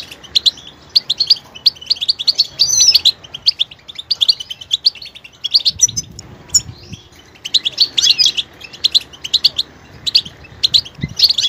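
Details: Singing goldfinch delivering fast, bright twittering phrases and tinkling chirps, separated by short gaps, with a faint low rumble in the background mid-recording.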